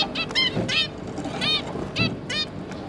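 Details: Zebra finch parents and three juvenile babies, 5 August 2022: about five loud, nasal, stacked calls roughly every half second, with soft lower rustles between them.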